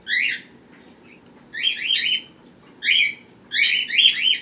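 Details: Pet birds with babies born March 31st and April 1st, 2018: bursts of quick, high, paired chirps repeated in four groups over a faint indoor hum.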